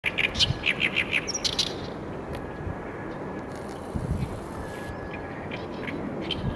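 Oriental reed warbler song: a quick run of harsh, chattering notes in the opening two seconds, then fainter bits over a steady low rumble of wind or distant traffic.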